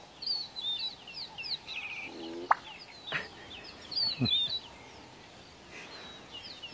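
Black-bellied Bustard: a short rising croak ends in a sharp pop, then two more dry pops a second apart, against busy high chirping from small birds.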